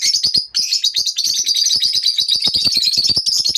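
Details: Continuous shrill twittering from morning lovebirds, fast scratchy chirps run together with many sharp clicks and snaps throughout.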